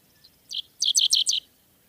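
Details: Dickcissel song in the Cincinnati, Ohio area: a soft lead-in note, then a run of four quick, sharp, high chipping notes that sweep downward, all within about a second.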